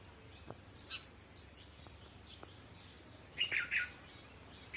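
House sparrow giving a few short, bright chirps, a lone one early, then a quick cluster of three near the end, over a faint steady hiss.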